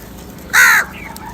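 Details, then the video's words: Crow, one of a large flock calling for food, gives a single loud harsh caw lasting about a quarter second, with a fainter lower call trailing after it against quiet background noise. "Huge numbers of crows Call for different foods"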